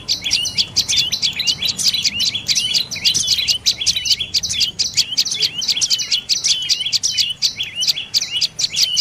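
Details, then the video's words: A dark-necked tailorbird gives a long run of bright, high, clipped notes, each a quick slurred chip, repeated several times a second in an even, insistent rhythm. "เสียงนกกระจิบคอดำDark necked Tailorbird Sounds"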